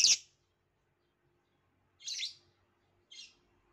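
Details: Violet lovebird: a sharp, high chirp, then after a pause two softer scratchy chirps about a second apart, fading in loudness.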